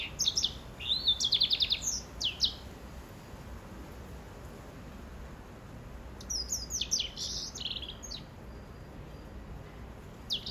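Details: A canary hybrid (greensinger/white-rumped seedeater/grey singing finch cross) sings two bursts of high, rapid twittering phrases with trills and sweet notes, pausing briefly between them over a faint background hiss.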